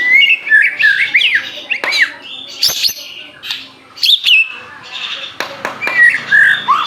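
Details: Aceh-type white-rumped shama singing energetically: a jumble of looping whistles, harsh chatters and sharp clicks, in quick irregular bursts.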